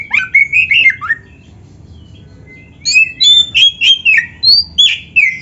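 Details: Oriental magpie-robin (kacer) song used as a training recording for other birds: rich whistled phrases with quick slurred notes, a pause, then a loud run of rhythmic rising and falling whistles repeated about three times a second.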